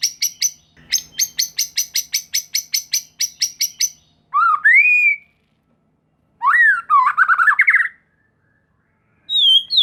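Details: White-rumped shama lure recording meant to arouse fighting spirit in other shamas: a burst of fast dry ticking notes, then a loud rising whistle, a long trilled upslurred phrase and a closing descending whistle.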